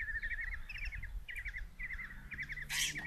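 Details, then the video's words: Common kestrel chicks, five in a Hungarian nest box at Tiszalök, beg during a mouse delivery by their mother on 27 June 2024; softer, short clipped trills in small groups, ending with a brief burst of noise. "Common Kestrels | Mom brings mouse in breakfast for five babies"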